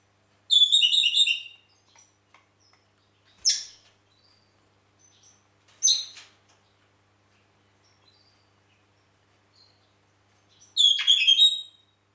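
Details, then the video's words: Red-rumped parakeet from Heraklion, Crete: a short rapid warbled trill, two sharp high chirps a few seconds apart, then another burst of fast warbling, over a quiet background. "Red Rumped Parakeet"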